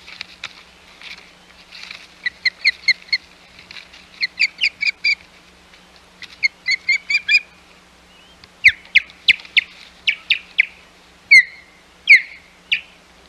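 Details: Osprey at the Hog Island nest on 11 May 2021 with intruding ospreys nearby: soft chirping notes at first, building into louder, sharp whistled chips given in irregular bursts, with a faint steady low hum beneath.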